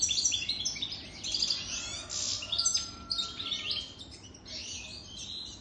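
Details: Caged European goldfinch, a male over three years old, singing a fast, jumbled twittering song of high tinkling notes, short buzzy trills and brief whistles, delivered continuously with little pause.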